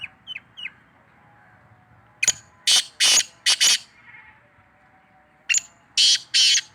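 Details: Black francolin (kala tetar) giving its call: a rapid phrase of four loud, rasping, broadband notes, a pause of about two seconds, then another three grating notes, over low steady background hum.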